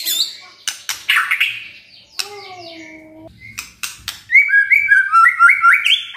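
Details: White-rumped shama (murai batu) delivering crackling, harsh notes and a descending buzzy phrase, then a fast climbing series of bright whistled notes, full of imitations.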